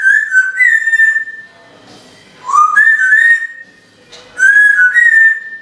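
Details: Pet female timneh African grey parrot indoors, whistling as if calling a dog: three loud, clear whistled phrases, each with a short upward step then a long level note, separated by brief silences.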